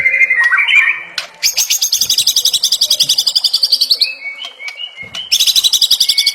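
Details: White-rumped shama delivering a high rapid trill of dense buzzy notes that runs for several seconds, with brief clear whistles between trills.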